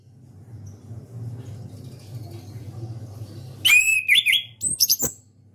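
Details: Orange-headed thrush, a legendary national champion contest songbird, delivers loud rapid phrases of sharp downward-sweeping whistles and clicks after several seconds of low background rumble.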